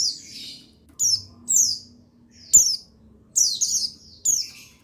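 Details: Buxtoni white-eye male, recorded 8/8/21 to set other white-eyes singing: bright, high descending chirps in quick irregular bursts, a few doubled, with sharp clicks and a soft low background hum.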